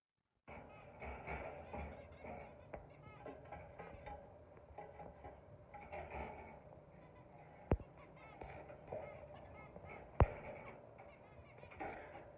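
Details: Several zebra finches chatter steadily with nasal, honking beeps, calling over each other.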